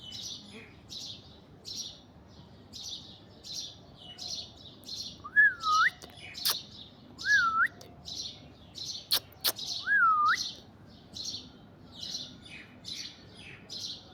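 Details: Alexandrine parakeet sitting in an orange tree: rapid rasping chatter of short bursts runs throughout, broken by three clear, bending whistles in the middle and a few sharp clicks.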